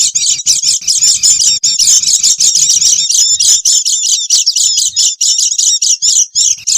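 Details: Oriental white-eyes chattering as a lure for wild birds: crowded, high, buzzy twittering in fast repeated pulses, with a low murmur under the first three seconds.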